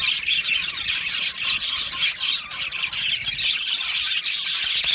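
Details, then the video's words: Budgerigar colony in an aviary, Australian parrots singing and chirping together: a dense, continuous wash of high chirps, twitters and short squawks overlapping without pause. "Beautiful Budgie singing and chirping sounds"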